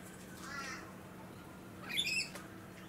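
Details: A rainbow lorikeet (Trichoglossus moluccanus) on the Sunshine Coast, Queensland, in March 2022, gives two harsh, screechy squawks, a faint one and then a louder grating burst, over a low steady hum.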